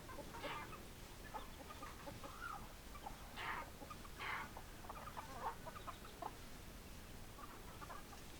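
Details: Chickens keep up soft, irregular clucking, broken by a few louder, harsher squawks, against a faint hissy background.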